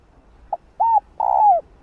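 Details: Hen spotted dove cooing to prompt males to call: a short pip, an arched coo, then a long burry hoot that slides downward, followed by the start of another note.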